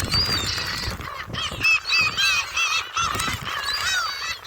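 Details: Gulls at Jebudo, Korea, being fed shrimp snacks: a flock giving overlapping high, arched squawking cries in quick bursts, several birds calling at once with little pause between.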